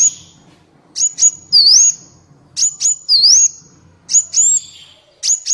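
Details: Kolibri Wulung sunbird song played as a master recording to train captive birds and lure wild ones: sharp high whistled notes, each with a rising-falling sweep, in bursts about every one and a half seconds with pauses between.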